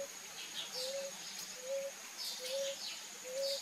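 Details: Ruddy ground dove bathing, giving soft, low, slightly rising coos about one every 0.8 seconds, over faint high chirps from other birds and a thin steady insect whine.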